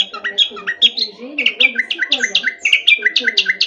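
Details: Common nightingale song selected for teaching canaries: a quick series of short, repeated chirping notes in rapid phrases, with a fainter, lower warbling running beneath.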